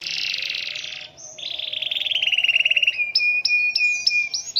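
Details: Canary singing energetically in the rainy season, delivering a long, unusual roll: a buzzy broadband burst, then a rapid pulsed trill sliding lower, ending in bright upswept whistled notes repeated about three times a second.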